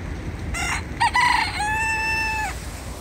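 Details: Free-roaming rooster in a forest in Alphen aan den Rijn, Netherlands, crows once loudly: rough broken opening syllables followed by a sustained level, strongly harmonic note about a second long, with outdoor background hiss.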